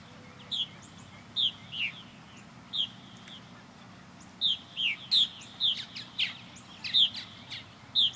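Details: Purple martins circling a backyard birdhouse under a blue sky, giving short bright chirps, some rising and some falling, scattered singly and then in quicker bursts over a quiet background.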